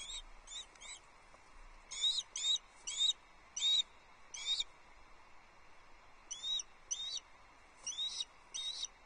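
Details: Osprey chick on the Loch Arkaig nest, 9 July 2022, while breakfast arrives: scattered clusters of high, upslurred whistled chirps, two to four per cluster, with uneven pauses between.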